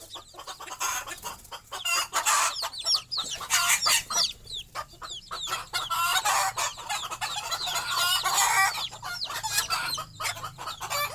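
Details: At night a mother hen roosts on a stick at the nest while her small chicks try to join her: constant high, sweeping chick peeps, several at once, under occasional low clucks from the hen, loud and busy throughout.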